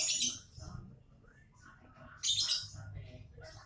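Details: A lovebird calls: a loud, grating, high screech opens the clip, quieter squeaky twitters follow, then another long harsh burst comes after two seconds and is followed by fainter chirps.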